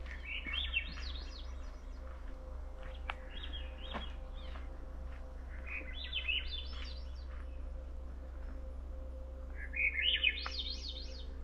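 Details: Swainson's Thrush singing on the Two Medicine Pass Trail, Glacier National Park: spiraling, upward-rolling flute-like phrases every few seconds, each climbing higher, over a steady low hum and a few faint clicks.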